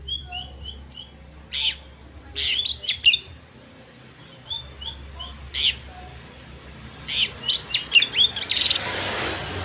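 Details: Lure song of an Oriental magpie-robin (kacer), meant to stir rival birds: scattered short whistles and rasping high notes, then a dense rapid burst of chattering notes near the end, with a faint background hum.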